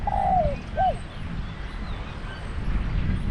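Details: Captive Thai decoy spotted dove at a trapping pen gives one phrase at the start, a long falling hoarse croon and then a short rising-falling coo. A steady low rumble continues through the quiet remainder.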